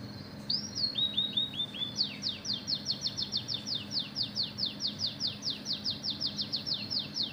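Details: Oriental magpie-robin delivering canary mimicry in a chatty 'gacor' song. A few short whistled notes at the start lead into a fast, even trill of sharp descending chips that carries on to the end, with faint background hum.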